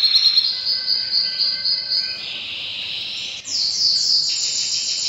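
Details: Canary singing powerfully during breeding season: high, steady trilled tours held for a second or more each, stepping between pitches, then a brief break and a brighter, faster rolling trill near the end.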